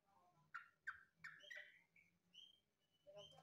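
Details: Trucukan, the yellow-vented bulbul, said to resemble a green leafbird, gives a quick run of four loud, slurred whistled notes followed by thinner, higher trailing notes over a low background hum.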